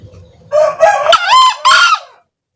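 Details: Crow of a male green junglefowl played as bait for catching birds: a rapid string of harsh, buzzy syllables, rising then ending in a strained final burst, with a soft low hum before it.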